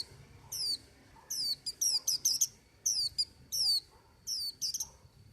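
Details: Singing white-eye with bright, high-pitched downward-sliding notes in quick clusters, some run together into rapid twittering phrases. A faint steady high tone and low background murmur are also heard.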